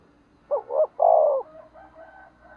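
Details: Spotted dove decoy meant to provoke rivals gives a double rising note and a long falling coo over a low background hum, followed by softer trailing calls.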